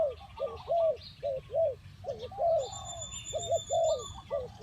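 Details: Spotted dove delivering repeated hollow, arched coos in short groups, some notes doubled, with a steady high-pitched whistle and light chirping of other birds behind.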